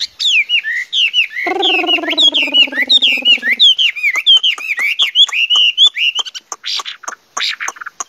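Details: Chinese hwamei (Garrulax canorus) song: a rich, fast run of looping whistled phrases, rising and falling; a low buzzy hum sounds briefly midway, then sharp clicks.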